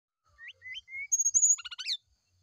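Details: Brown-chested jungle flycatcher singing in the morning as a lure to prompt a reply: short rising whistled notes, then a long high steady whistle breaking into quick stuttering, buzzy trilled phrases. Quiet background.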